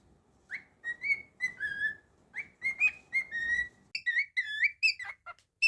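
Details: Pet cockatiel indoors giving a string of clear whistled notes near one pitch, some rising and some falling, many short phrases in quick succession with brief gaps, ending in higher wavering chirps.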